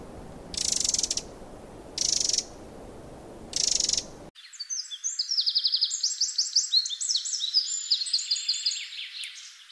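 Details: Wild Eurasian wren song: after three brief hissing bursts, a long rush of very high, rapid trills and descending sweeps runs for over five seconds, dense and energetic.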